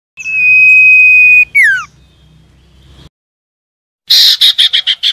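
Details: Common iora (sirtu/cipo) song played so caged birds that have stopped singing will respond: a sustained, even whistle, a falling slurred note, a gap, then a rapid series of harsh, buzzy chattering notes.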